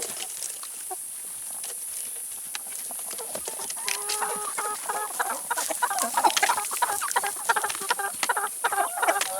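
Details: Several chickens feeding on salad and vegetables; low murmured clucks build into a busier run of short tonal calls, mixed with frequent pecking taps and a constant high-pitched background hiss.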